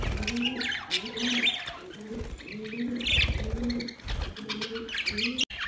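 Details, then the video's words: Budgerigars talking to each other: bursts of scratchy, warbled chirps sit above repeated low, hollow cooing from another bird that runs through the whole stretch. "Budgies talking to each other"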